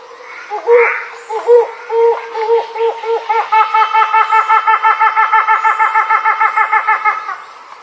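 Helmeted hornbill: spaced, hollow hoots that speed up into a fast series of ringing, laugh-like notes, about four per second, before fading.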